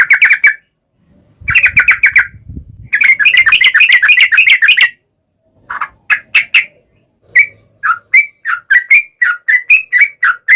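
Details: Yellow-vented bulbul song for luring birds to respond: dense buzzy chattering bursts broken by pauses and a low thump, then a run of separate bubbling notes rising and falling.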